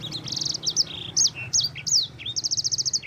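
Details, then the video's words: Yellow-fronted canary, known locally as sanger or mozambik, singing energetically as a training model for other songbirds. High, rapid song of sweet whistled notes, slurred sweeps and short trills, ending in a fast run of evenly repeated chips. "Suara burung sanger gacor"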